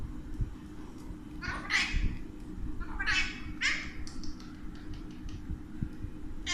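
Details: A pet Alexandrine parakeet talking in Urdu/Hindi: three harsh, nasal, word-like bursts, each about half a second long, over a steady low hum.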